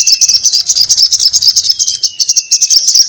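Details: Crimson sunbird in nonstop excited chatter: a loud, continuous, very high, buzzy ticking trill with a thin sustained whistle running beneath it.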